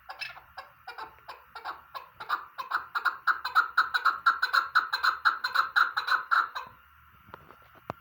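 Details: Chukar partridge, tagged as female, in an excited calling bout: rapid harsh clucking notes, about two to three per second, building steadily in loudness and pace for over six seconds before stopping abruptly in a quiet room.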